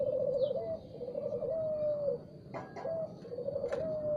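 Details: Morning cooing of a spotted dove, low rolled phrases and a drawn-out falling coo, with sharp clicks and faint high chirps around it.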